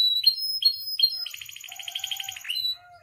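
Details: Captive canary song used as a training and provoking recording for other canaries: three clear high whistled notes, each followed by a lower chip, then a fast rattling trill for over a second, ending with a soft lower warble.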